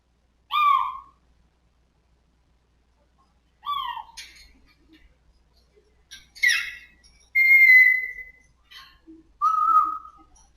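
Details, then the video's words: Pet African grey parrot indoors, the day it first says "Good Morning": short bright whistled notes with harmonics, a pair of quick chirps, then a long level whistle and a slightly falling whistle, with silent gaps between. "says "Good Morning" for the first time"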